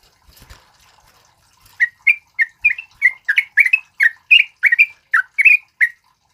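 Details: After a quiet opening with faint rustling, a male sooty-headed bulbul, a singer used for training other birds, breaks into steady chirpy notes, roughly three per second, each a short bright up-down slur, continuing for four seconds.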